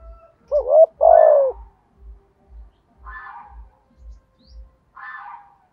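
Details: Spotted dove cooing in the 'thổ' voice style: one quick double-hooked note and then a long, falling, husky croo. Later come two brief raspy, higher sounds, with an even low thumping in the background.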